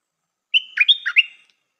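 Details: One phrase of song from a newly trained Stripe-throated bulbul decoy, praised for its singing style: a whistled lead-in followed by several fast, fluty notes falling and rising, then silence.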